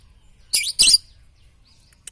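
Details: Lovebird training song for morning, noon and night: two quick harsh, high chattering chirps in close succession, then quiet with a faint tick.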